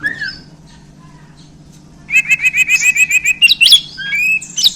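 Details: Bornean white-rumped shama, freshly handled, giving a faint whistle, then a fast even rattle of about a dozen sharp repeated notes followed by loud squeaky whistles; low hum throughout.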